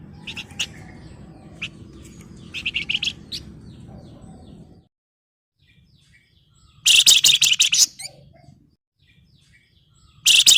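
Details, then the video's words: Excited Flamboyan in breeding condition calling to a rival: scattered sharp high chips and a short chattering phrase, a silent gap, then a loud dense rattling trill around 7 seconds and a final burst at the end. "SUARA PANCINGAN BURUNG FLAMBOYAN BIRAHI GACOR MANGGIL LAWAN"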